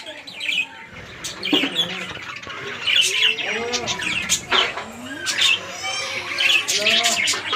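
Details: Many budgerigars in a breeding colony chatter at once in a busy jumble of warbled, chirping and scratchy notes.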